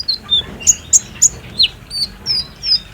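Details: Kolibri ninja, or olive-backed sunbird, lure song meant to prompt a captive bird to sing: evenly spaced, thin high chirps and short slurred whistles, about three per second, over faint background hiss.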